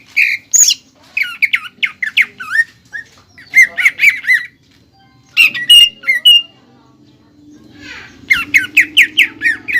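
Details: Greater green leafbird song used as a master recording for training caged birds, a competition style with woodpecker-like fill notes: loud bursts of sharp whistled and chattering notes in quick runs, with short pauses between phrases and a low hum underneath.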